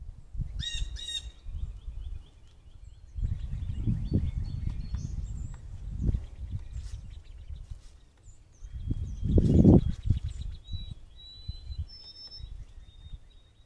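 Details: Blue jays calling all around a deck, some coming in for peanuts, caught by a trail camera on 24 April 2023; a short burst of harsh, stacked calls opens, then faint thin calls over a constant low rumble.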